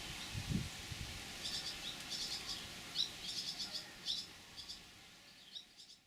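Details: Fledgling swallows perched in a lime tree crown in Dugo Selo, Croatia, 2017, begging for food from parents: rapid clusters of sharp, high twittering chirps repeating irregularly, with a low rustle near the start.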